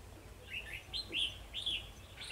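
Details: Red-whiskered bulbul decoy in Vietnam singing to challenge rivals during trapping: a quick run of rich, looping whistled notes rising and falling, four or five phrases in close succession, with a low background hum.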